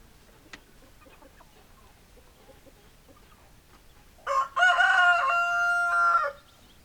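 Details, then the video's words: A rooster gives one loud, drawn-out crow lasting about two seconds, with a short rise then a long held, brassy tone, after several seconds of faint hen clucking in the background. "Chicken Sounds Noises Hens Clucking Roosters Crowing"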